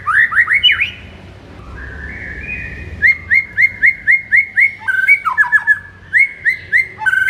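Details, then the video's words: White-rumped shama in the morning, song used to excite a kept shama: opening rising whistles, a drawn note, then a regular series of about a dozen short upslurred whistles, roughly three per second, with faint clicks. "MASTERAN MURAI BATU DI PAGI HARI AMPUH UNTUK NAIKKAN EMOSI MURAI BATU ANDA"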